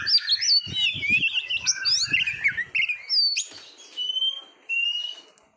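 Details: Oriental magpie-robin song from a competition-training recording: a quick chattering run of whistles with low knocks, then sparse drawn-out whistled notes separated by pauses.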